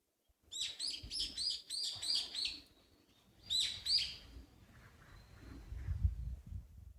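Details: Small birds twittering by a shady woodland walkway in Nishi-no-Kubo Park, Amakusa, Kumamoto, Japan, during hot early-summer weather. Clear, rapid, high tweets come in quick bursts of about four, pause, return, then fade under low rustling.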